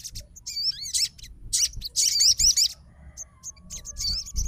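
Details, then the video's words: Fighter crimson sunbird replying to a rival's song with high, wavering, warbled notes and short bursts of rapid twittering, with quiet gaps between phrases. "SOGON FIGHTER LANGSUNG RESPON DENGAR SUARA SOGON GACOR"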